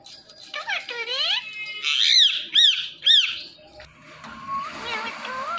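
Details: Green Indian ringneck parakeet speaking "Mitthu Mitthu": a few voice-like gliding syllables, then three sharp arched squawks roughly half a second apart, ending in softer wavering tones.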